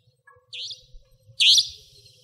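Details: A Savanna Nightjar, a nocturnal resident bird, recorded in Pingtung County, Taiwan, in 2014–2015: a softer sharp note followed by a louder, rasping, upward-slurred high call, over a steady low hum.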